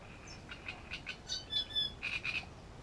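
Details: Great reed warbler singing at Grachevka, recorded as undisturbed wildlife footage: faint, harsh, chattering notes repeated in short bursts of about two per second, some squeaky whistled notes mixed in, over quiet background hiss.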